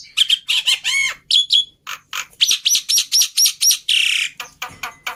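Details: Jalak putih (black-winged myna) tutor song: bright whistled notes, then a regular row of short sharp chirps, a long hoarse rasp, and scattered clicks.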